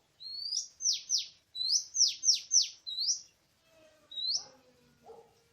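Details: Oriental magpie-robin singing in the wild in forest during bird trapping, 24 March 2017. A fast series of high whistles, each rising then dropping in a sharp sweep, about eight in three seconds, then a pause and one more, over faint low tones.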